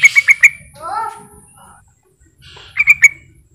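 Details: Sooty-headed bulbul call used as a lure to make other bulbuls call back: quick clipped chirps open and close the passage, with a lower, wavering squawky sound and faint background murmur between them.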